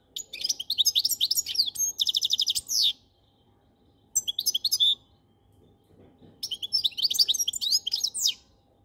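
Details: Goldfinch song with long twittering phrases containing a rattling trill, a short burst of chirps after a pause, then another long sweet twittering phrase.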